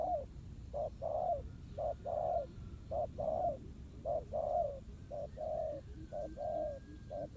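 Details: At a trap baited with a ground decoy, a spotted dove repeats short-long coo pairs roughly every second. A faint thin whistle from another bird and low background noise are also heard.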